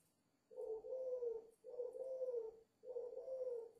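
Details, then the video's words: A captive dove, five months old, in Ba Vì, Vietnam, gives a spirited run of three low, hollow coos, each about a second long and separated by short gaps, in quiet surroundings. "chim cu 5 tháng gù hơi máu lửa"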